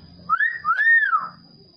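A cockatoo gives two drawn-out, tuneful whistled phrases, the second rising and falling in a smooth arc, in imitation of the call to prayer.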